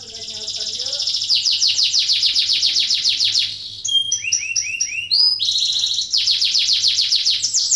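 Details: Canary song for stimulating lazy canaries to sing: steady runs of fast downward-sweeping notes, broken by a few looping whistled phrases and a clear sustained tone, then back to rapid sweeps.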